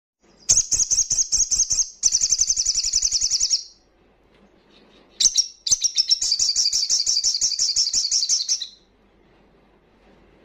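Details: Crimson sunbird giving a fast, wild-style 'ngalas' song meant to rouse breeding condition and aggression in untrained birds: two long, very high, rapid buzzy trills, each about one and a half to three seconds, separated by a short pause.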